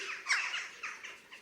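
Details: Western Jackdaw calls from a vocal bird rarely quiet for long: short, high-pitched notes, a bright chattering squeak followed by several softer repeated chak-like calls over about a second and a half.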